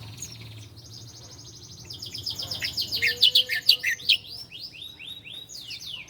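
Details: Ciblek Koya, a bar-winged prinia, on a master track for tutoring cage birds: a buzzy trill leads into loud clustered chirps and a string of arched, swooping whistled notes, with a faint low hum beneath.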